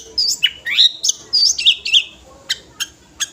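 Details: Five-year-old sooty-headed bulbul singing full material for calling other birds: a string of loud twisting whistled notes, rising and falling, followed by three sharp separate clicks.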